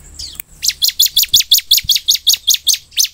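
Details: A lively Bar-winged Prinia sings a rapid series of about a dozen sharp, high, buzzy chips, roughly three per second, steady and insistent. This is a song played to make kept birds respond.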